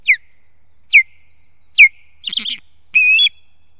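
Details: Osprey recorded in fog in Estonia, 2 September 2018: three loud, sharp whistles sliding steeply downward, about one per second, then a scratchy burst and a brief rich, harmonic whistled note.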